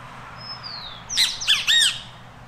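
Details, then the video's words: Great kiskadee calling while feeding in Costa Rica: a thin falling whistle, then a quick run of harsh arched squawky notes, with a constant low background hum. "Great Kiskadee Calling and Feeding"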